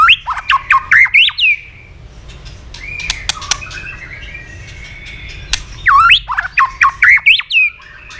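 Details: A tail-flicking white-rumped shama in rapid fighting song: two bursts of loud looping whistled notes, about a dozen each, separated by a quieter stretch of clicks and thin high tones.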